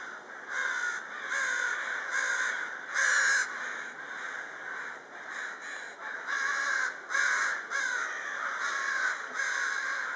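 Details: A flock of crows busy in the evening hours. Loud, raspy caws follow each other in quick bursts, some overlapping, with brief gaps between groups and steady background hiss.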